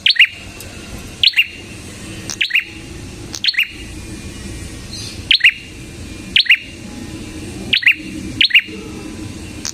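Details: Red-headed prinia in full, lively song: short sharp chirped notes sliding downward, each paired with a click, repeated about once a second, over a low steady background hum.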